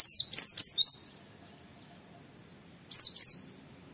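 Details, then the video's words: Oriental white-eye training recording with "wit wit" calls, used to tutor and prompt other white-eyes to sing: two short bursts of high, sharp looping whistles with rapid up-down sweeps, separated by a quiet pause. "Masteran Pleci Nembak Wit Wit Mudah ditiru, semua pleci terpancing ikut Nge witwit"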